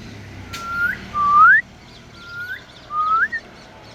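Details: African grey parrot whistling: four clear, pure notes, each sliding upward, arriving in loose pairs over about four seconds, with a faint low background hum.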